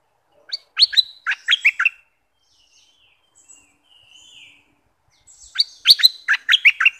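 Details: Southern Thai bulbul, used to rouse birds for trapping, gives two bursts of chattering, liquid notes separated by a soft thin whistle in the pause.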